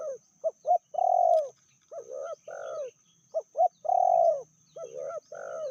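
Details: Spotted dove, a female said to be fiercer than the male, giving two full cooing phrases: quick clipped notes leading into a long, soft, drawn-out coo, repeated about three seconds apart in a quiet setting.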